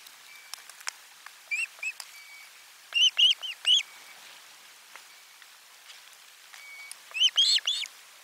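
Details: Osprey at nest camera #4, 12 July 2022, fish brought at lunch: runs of three or four piercing, evenly spaced whistled cheeps, a softer pair early on, plus faint thin background whistles.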